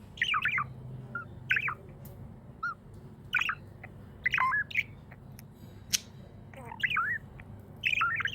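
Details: Cheerful pet budgerigar chatter: clusters of rapid warbling, up-and-down chirps with occasional sharp clicks, coming in bursts every second or two over a faint steady hum.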